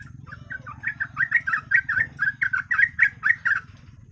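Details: Yellow-vented bulbul song as a lure for birds: a rapid, rolling series of chirpy, bubbling notes, rising in volume, over a rumbling low background noise.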